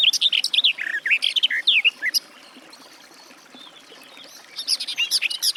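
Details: Two phrases of garden warbler (Sylvia borin) song: a two-second burst of quick, tumbling warbled notes, a pause of over two seconds, then another short rapid warble.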